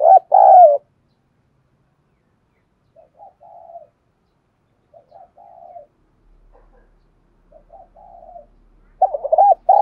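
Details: Spotted dove used as a fighting-training lure, a loud wavering coo, then a series of soft, quiet murmured coos spaced about every two seconds, ending with another loud double coo.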